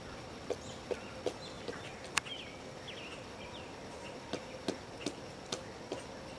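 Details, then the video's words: Pileated woodpecker digging in an old stump on Watchung Mountain, Bridgewater, New Jersey: about ten sharp, dull knocks roughly every half second with a pause midway, and faint small-bird chirps in the background. "Pileated woodpecker digging in an old stump"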